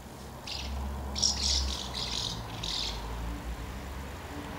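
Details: Gathering of house martins at two nests on 24 August 2012 while young are fed. A short run of buzzy twittered chirps in the middle, over a low droning hum.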